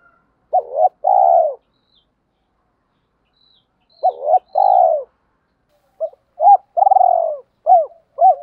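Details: Spotted dove coos, male and female birds, played to stimulate cooing in training; phrases of a short double note then a long falling coo, separated by silence, the last phrase ending with two quick extra notes.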